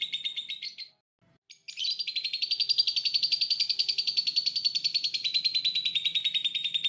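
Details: Lovebird song used as a masteran training recording for caged songbirds: fast, high chattering trills repeated several times a second, a brief pause near the start, then one long unbroken buzzy chatter that slowly falls in pitch.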